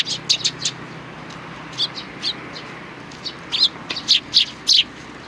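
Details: Sparrows recorded on 29 May 2019, giving short high chirps in small clusters, ending with a louder run of clear chirps.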